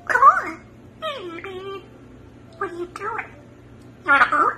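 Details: African grey parrot talking: three short bursts of speech-like phrases with a rising and falling voice, separated by pauses, over a steady low hum.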